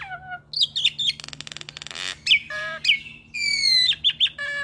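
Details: Captive hybrid of Asian pied starling and Nias hill myna giving varied chatter for training cage birds: whistled slurs, a fast clicking rattle, harsh rasps and a long harmonic nasal note near the end.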